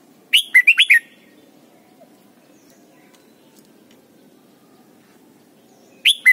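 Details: Red-whiskered bulbul from Thailand, a recording meant to teach young birds to sing: a quick burst of four loud, slurred whistled notes in under a second, then a quiet pause before another phrase begins. Faint low background hum.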